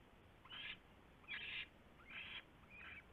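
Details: Owl at its nest as a huge rat is brought in, just after midnight on 27 January 2016: four harsh, noisy hissing bursts of about a quarter second each, spaced unevenly, over faint steady background hiss.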